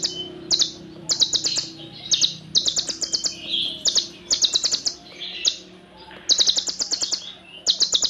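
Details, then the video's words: High-pitched olive-backed sunbird song packed with tight, long cililin fill-ins. Rapid strings of piercing chirps repeat in clustered bursts, with occasional softer twitters in the gaps. "MASTERAN EFEKTIF BURUNG KONIN FULL NEMBAK ISIAN CILILIN RAPAT DAN PANJANG"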